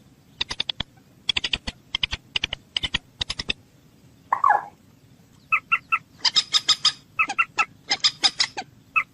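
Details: Common moorhen giving dry, ticking clicks in small groups, one low harsh croak, then dense, rapid clucking chatter to the end.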